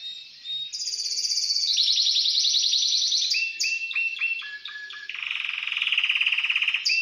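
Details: Caged Timbrado canary placed in this cage the night before, singing loud rolling trills and long buzzy rattles, then a run of short descending whistled notes and a steady pulsed trill; a man urges it on softly.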